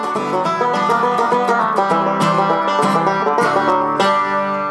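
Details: Bright plucked banjo music with guitar fills the whole stretch, and no animal voices are heard.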